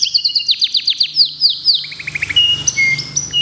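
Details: Local canary meant for a singing contest gives a quick series of high, down-slurred notes, then a short run of lower chips and a few thin, sustained whistles over a steady low hum.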